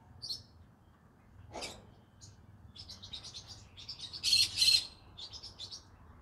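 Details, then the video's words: Green-cheeked conure singing in the evening: scattered high chirps, a brief lower burst, then rising chatter peaking in two loud harsh squawks, over faint background hum. "good evening everyone come hear me sing together Green Cheek Conure Parrot Bird"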